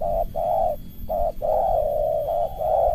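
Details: Spotted dove used as a lure bird, calling against a rival in a dense rasping style; loud coos run almost without pause, with short notes and long drawn notes linked closely together.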